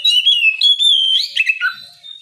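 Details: An Oriental magpie-robin's open ngeplong song at morning, sung to lure rivals into answering: a sustained, fluid whistled warble that wavers in pitch, then drops into a lower, slurred closing note.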